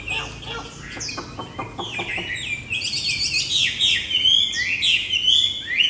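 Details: A captive Chinese Hwamei, wild-caught, about three years old, kept indoors on a rainy night, sings loud, rich whistled phrases with rising and falling slurs, opening over a run of quick clicking notes.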